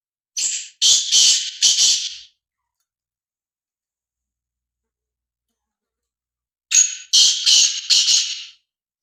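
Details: Black francolin recorded on Thursday, 8 February 2024, giving two harsh, grating bursts of about four rasping notes each, roughly six seconds apart, with silence between the phrases.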